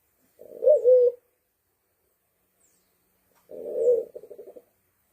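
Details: Sulawesi black pigeon calls used for luring: two low, mellow coos about three seconds apart. The first is smooth and slightly wavering, and the second ends in a quick fluttering run of soft pulses. No other sounds.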